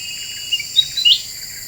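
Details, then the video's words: Very vocal Black-winged bulbul on a lure recording: a brief run of thin whistled notes ending in a brighter upward-sweeping slur, with constant faint hiss behind. "Suara Pikat Kutilang Emas Super Gacor,,Bikin Burung Lain Pada Emosi"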